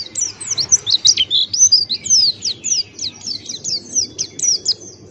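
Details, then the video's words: Male Buxtoni white-eye singing intensely in the ngalas style with open beak, a rapid, continuous stream of high, thin, sharply rising and falling chirps and twitters, several per second, over a faint low hum. "Masteran Pleci Buxtoni Ngalas Buka Paruh"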